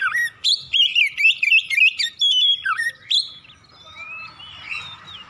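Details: Morning song of an Oriental magpie-robin in fast continuous ngropel style, a dense run of bright whistles, trills and sharp chirps, then quieter scattered whistles and a faint hum.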